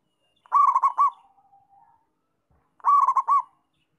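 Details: Zebra dove, a local bird singing actively: two loud rolling coo phrases about two seconds apart, each a rapid run of bubbling pulsed notes followed by a faint, low, drawn-out tail.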